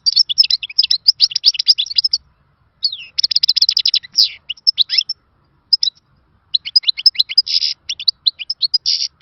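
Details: Khalawi-style European goldfinch song, an old-time rare variety said to serve in training. Long runs of fast, tinkling twitters and buzzy trills, broken by two short pauses, all high and clear against a silent background.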